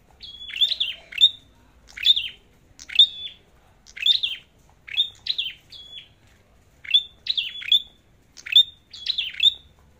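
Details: High, piercing twitters from a red-headed flowerpecker in competition singing: about nine separate phrases, each a thin level whistle with quick falling chips, repeated roughly every second against a quiet background.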